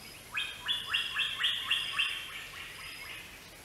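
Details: Greater racket-tailed drongo giving a quick series of about nine repeated two-part notes, each sweeping up sharply then holding, roughly four per second, fading toward the end against a steady faint hiss.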